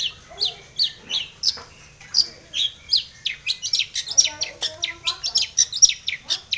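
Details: Long-tailed shrike in breeding condition singing a full song packed with varied notes, used as a lure to make other shrikes sing; rapid series of high, sharply descending chirps and scratchy notes with brief low tones underneath.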